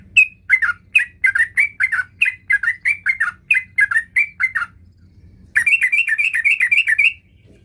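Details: Sooty-headed bulbul in full song, looking for a rival, giving rapid repeated chirpy falling phrases for nearly five seconds, a brief pause, then a quicker burst of rolling, rising notes; faint low background rumble.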